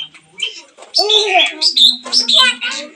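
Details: Long-tailed shrike singing as a lure for a silent bird: after a quiet start, loud bursts of squeaky whistles and chattering notes follow each other quickly, ending with a held low tone.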